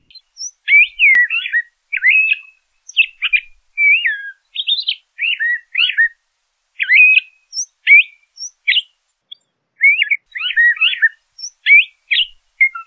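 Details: Song of a LeConte's thrasher, a steady sequence of short varied whistled and chattering phrases, each about half a second, separated by short gaps, with thin high notes scattered between; clean background.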